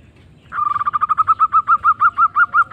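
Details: Local zebra dove singing strongly: a fast rolling string of soft cooing notes that starts rapid and steadily slows, each note a small rise and fall in pitch, over a light background hum.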